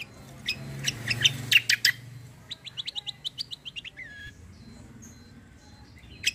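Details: Fighter-quality kecial kombo white-eye, recorded as tutor song for other birds: loud harsh chips over a low humming background, then an even run of thin high notes and a downslurred whistle.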